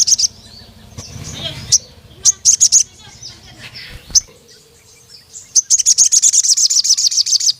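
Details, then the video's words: Crimson Sunbird calling a rival male. Scattered high chips and brief clusters over a low background murmur, building into a long, rapid, very high ticking trill lasting about two seconds at the end. "CUIT CUIT BURUNG SOGON MEMANGGIL LAWAN JANTAN BIKIN GACOR NEMBAK PANJANG"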